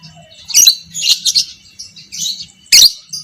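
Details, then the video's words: Lovebird of fighter type, violet parblue creamino, chattering in 'ngekek' style as a training recording for other lovebirds: harsh high buzzy bursts with brief pauses and a soft low hum underneath. "Masteran Burung Lovebird Fighter Ngekek panjang - Suara Burung lovebird biola pb creamino"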